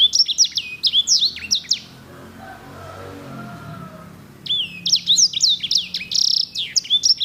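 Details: Caged Edel/Herda sanger canary, a breed prized by canary keepers for its beautiful, luxurious rolls and used as a master song for tutoring canaries. Two bursts of quick, high, swooping notes repeated several per second, separated by a quiet pause with faint low hum.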